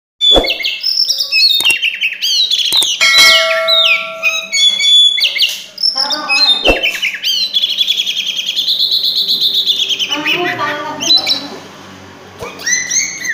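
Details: Oriental magpie-robin (Copsychus saularis) in full, dense song: a fast, almost unbroken run of loud whistles, sharp chattering bursts and trills, mostly high-pitched and constantly changing in phrase.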